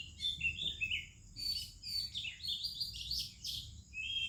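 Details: An Oriental magpie-robin in India sings melodiously in the morning amid other birdsong: a continuous stream of bright whistles and quick varied twittering phrases, over a steady high insect-like drone.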